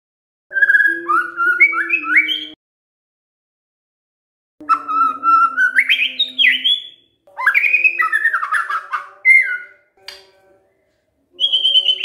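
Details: Lure song of a white-rumped shama, played to get other shamas to answer: several bursts of varied whistles and rising slurred notes, separated by pauses of about two seconds, ending on a high held whistle.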